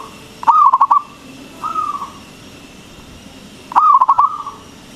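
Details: Local zebra dove, frequent loud singer, used to make other doves call back: a loud stuttered cooing phrase, a softer drawn coo, then after a pause a second loud pulsed phrase.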